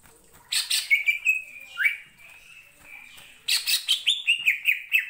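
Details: Greater green leafbird (cucak ijo) in lively song meant to provoke other birds: bursts of rich chattering notes with a long held whistle between, then a fast rhythmic series of looping whistled phrases.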